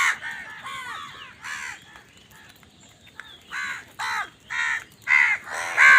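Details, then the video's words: Crows contesting food: hoarse caws, a quieter pause, then a string of loud, clipped caws that grow sharper and more insistent. "কাকের ডাক Crow Sound Crow ki Awaz Loudly | Crow bird Fight for Food"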